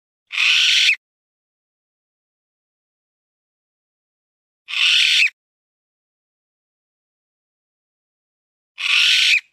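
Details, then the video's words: A mountain bamboo partridge gives harsh, rasping calls about half a second long, repeated roughly every four seconds with silence between. "Mountain bamboo partridge call"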